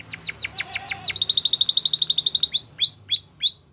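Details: A canary sings a series of quick downslurred notes, then a fast buzzy trill, then slow, evenly spaced rising whistles, loud and close.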